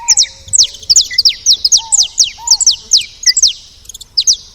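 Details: Busy saffron finch chatter at the feeder, with loud high slurred chirps in a steady irregular stream and occasional lower arched whistles between them.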